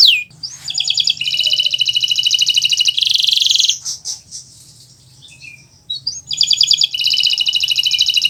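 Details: Singing Kenari Nusantara canary, a master recording for birds learning to sing; long rapid buzzy trills separated by a quiet pause with soft slurred notes, then the trill resumes, over a faint low hum.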